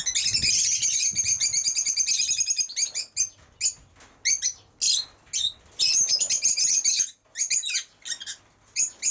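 Lovebirds chatter in shrill, high squeaky chirps, first in a dense continuous burst, then in short rapid bouts with brief pauses.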